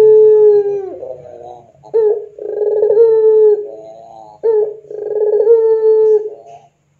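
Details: Puter pelung dove, lure recording for training doves: repeated phrases of short rough rolling notes ending in drawn-out level coos, about every two and a half seconds, fading out at the end.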